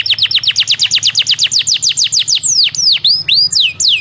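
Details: Belgian canary song for warming up young canaries: a steady series of fast downward-swept chips, then a few slower looping whistled notes, clean and loud.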